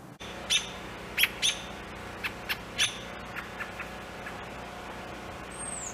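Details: American robin (Turdus migratorius) fledgling fallen from its nest, begging with short, sharp high chirps, single or in quick pairs, then fainter ones, over a steady low hiss, while both parents feed and protect it.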